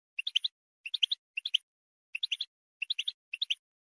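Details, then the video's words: European goldfinch giving its calling song, bright, tinkling twittered calls in short bursts of three to five notes about every half second to second, high-pitched and liquid, played to motivate goldfinches to sing. "chardonneret chant d'appel"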